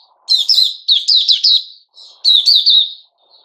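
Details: Sooty-headed bulbul, male, 10 July 2021: two short phrases of bright, warbled chirps, each a tight cluster of three or four bent notes sliding downward.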